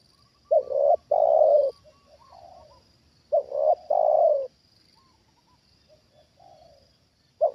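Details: Decoy spotted dove reacting to a wild bird. Two loud two-part coo phrases about three seconds apart, with soft low murmurs between them and the start of another phrase at the end.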